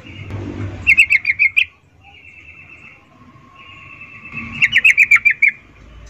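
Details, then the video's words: Female yellow-vented bulbul calling males, 'ngecuplik' birahi call used as a lure: two chattering bursts of about seven quick notes each, separated by steady thin tones for roughly three seconds. "Trucuk BETINA memanggil Jantan Suara Birahi Ngecuplik"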